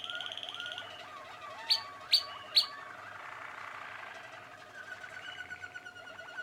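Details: Young Waterslager canaries of the Malinois type, 2016: low bubbling glides, three loud sharp high notes in quick succession, then a soft rolling water-like trill.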